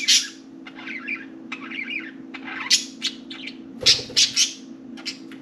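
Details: Four budgies playing in and on their cage keep up busy chatter: rapid harsh chirps, grating warbles and loud squeaks in close succession, with a soft thump midway and steady low hum.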